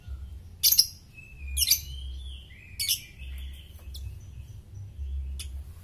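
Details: Oriental magpie-robin in top form, its song used as a master for tutoring other songbirds: a few sharp, high chirps spaced about a second apart with a brief mid-pitched whistle, over a low steady hum.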